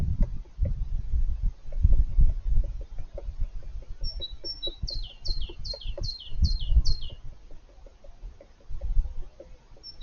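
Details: A male European green woodpecker excavates his nest deep inside the trunk of an old apple tree, with dull, uneven knocks and thuds about three a second. A brief run of high chirps from another bird breaks in midway.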